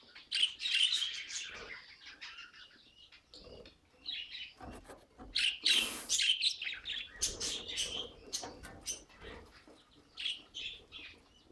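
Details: Pet budgerigars calling in separate bursts of bright chirps and squeaky warbles, broken by short pauses, with one louder scratchy outburst near the middle.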